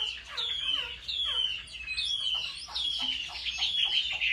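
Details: Fighting song of a home-trained Chinese hwamei: rich, ringing whistled phrases about once a second, each sliding downward with trailing lower notes, over faint background hiss.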